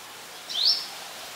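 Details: Brown-throated sunbird, Ubon Ratchathani, Thailand, 2 January 2021, Nikon P1000 recording: a single short, high, rising chip against light background hiss.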